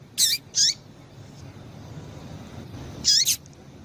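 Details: Female Double-collared seedeater calls meant to stimulate males: two pairs of short, shrill, high chips, each sliding downward, the pairs about three seconds apart, over low background noise.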